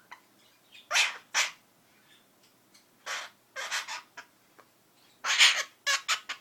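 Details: A pet female Princess of Wales parakeet imitates her owner's sneezing with short, harsh, hissing bursts, mostly in pairs or quick runs of three, with quiet gaps between them.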